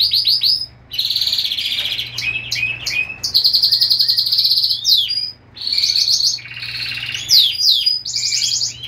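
A canary sings a loud, continuous song of rapid trills, chirps and sweeping whistles, switching phrases every second or so, with a faint low hum behind.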